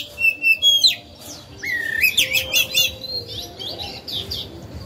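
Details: Oriental magpie-robin kept as a lure singer to stir rival birds: a few short whistled notes, then a rising warbled phrase followed by rapid repeated chattering notes, fading into softer twitters.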